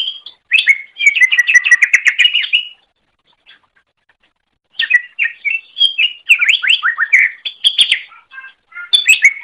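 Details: Greater green leafbird song, recorded as a training track for other songbirds: dense bursts of rapid, chattering whistled notes around two to four kilohertz, a pause, then a second run of varied, sweeping, warbled phrases.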